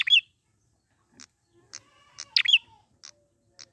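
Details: Prinia from the wild, meant to coax birds into song: quick high chirp bursts separated by scattered single ticks, with a thin tonal hum in the background.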